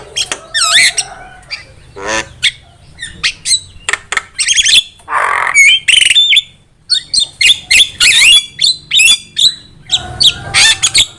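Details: Javan myna song as a trapping lure, a long, busy medley of harsh squawks, clicks and high slurred whistles, with a broad rasping burst midway and a brief quiet gap.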